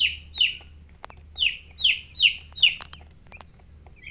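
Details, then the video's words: Baby chickens peeping: loud, clear high chirps, each sliding downward, given in bursts of one or two about every half second, with sharp clicks between and a low steady hum underneath. "Witty MURGI Baby "Chicks Chirping" Sound"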